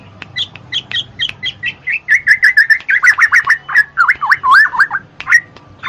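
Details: Black-naped oriole song, played to coax lazy cage birds into singing: short high chips give way to a quick run of slurred, looping whistles around the middle pitch, then a few rising notes at the end.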